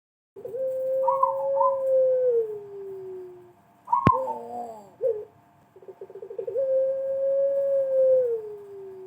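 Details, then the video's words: Pelung dove used as a lure: long drawn coos around a low pitch, slowly falling, a higher warbling phrase, a sharp click near four seconds, then a burst of rapid pulsed notes leading into another long falling coo. "pancingan puter pelung pasti bunyi"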